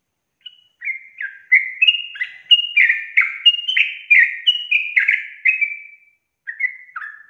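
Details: Sooty-headed bulbul in energetic long rapid-fire singing, used to prompt other bulbuls to sing fast: a quick run of bright, slurred whistled notes, each dropping in pitch, about one per second, pausing near the end before two more notes.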